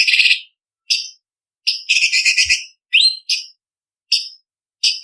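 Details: Leafbird singing for song-contest training: a scratchy trill, spaced high whistled upslurs and a longer rasping chatter, with short pauses between notes.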